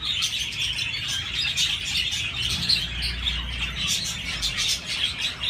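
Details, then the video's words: Budgerigar flock chattering with high chirps, squeaks and grating squawks, a low droning hum audible beneath the birds for part of the time. "تغريد طيور الحب البادجي"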